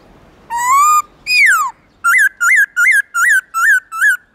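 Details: Black-throated laughingthrush, forest-voice song in the morning, loud and clear: a long slowly rising whistle and a sweeping fall, then seven short peaked notes repeated at a quick, steady pace.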